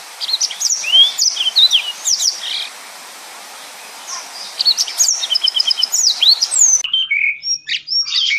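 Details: Yellow-fronted canary in full 'nembak' song, described as dense and non-stop, suited as a tutor for other songbirds: high, rapid twittering and slurred whistles, a short lull, then another fast chattering run that thins into scattered high notes.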